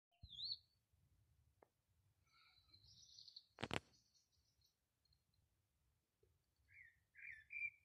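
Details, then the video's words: A small bird singing on a rooftop on 13 March 2020 gives high, thin chirps and slurred whistles, with a sharp click near the middle and a low background hum. "pájaro cantando en el tejado"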